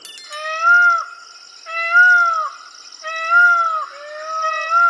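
Indian peafowl giving four loud, nasal wailing calls, each rising then dropping off at the end, about one every second and a half, over a steady high insect-like hiss.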